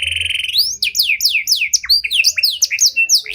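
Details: Canary of the Panda variety, luxurious cengkok song to stimulate and train other canaries: a brief buzzy trill followed by a fast sequence of sharp descending whistled notes, varied and energetic.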